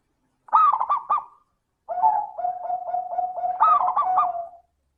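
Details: Zebra dove lure in 'crystal' style: a looping bright phrase, then a long run of even, pulsing coos ending in another looping phrase.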